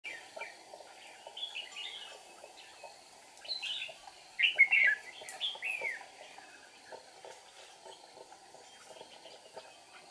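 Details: Red-whiskered bulbul used as a decoy during trapping on 8 April 2019, singing to provoke wild rivals while flicking wings and tail; short warbled, rising-and-falling phrases in scattered bursts, loudest midway, over a steady background hum.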